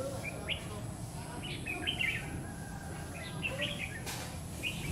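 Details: Red-whiskered bulbul singing while a lure bird is used for trapping, stormy afternoon of 9 September 2019: clusters of quick chirpy, warbling notes in two bursts, fairly distant, with a low hum and background rustle.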